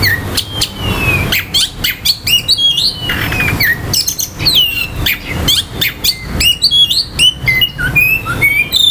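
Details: Oriental magpie-robin singing to provoke aggression and breeding urge in other males: a rapid, varied run of sharp whistles, upslurred and downslurred notes and chattering phrases, delivered almost without pause over faint low background noise.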